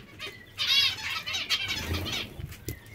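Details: Zebra finches, described as hungry, give a short run of nasal, buzzy chirps that rise in intensity after a quiet start, then trail into scattered calls with faint rustling.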